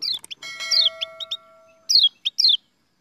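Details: Kept white-eye, known locally as kecial, in a setting about feeding apple to the birds: quick high chirps sliding downward in short bursts, with a steady ringing tone like a doorbell chime underneath.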